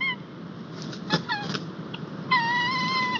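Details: Male white-tailed eagle in Estonia, 21 March 2021, arriving at the nest with a fish and calling the female to come take her breakfast: a brief opening note, a few short nasal yelps, then a long ringing note of nearly a second over a soft hiss.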